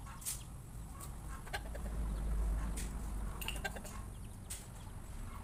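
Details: Chickens feeding together are surprised by a noise; brief scattered clucks and clicking pecks come through a loud, constant low-pitched rumble, with a small cluster of calls past the middle.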